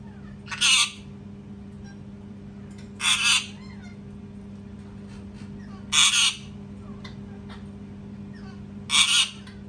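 A parrot gives loud, harsh screams, each about a third of a second long, repeated roughly every three seconds over a steady low hum.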